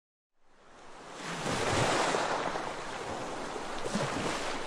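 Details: Rushing wind and surf swell up after a moment of silence and continue as a broad roar, with no animal call audible.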